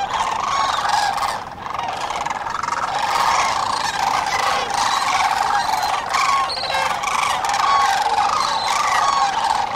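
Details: Many sandhill cranes calling at dawn along the Cosumnes River, a steady wall of rattling, bugling notes from a large flock, with brief louder whistled cries breaking through the chorus.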